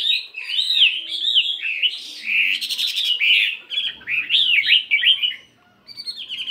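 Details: Morning practice song of a 72-gram fighting Chinese hwamei, a continuous rich warble of swooping whistled notes with a buzzy burst midway, ending in a brief pause and high thin notes.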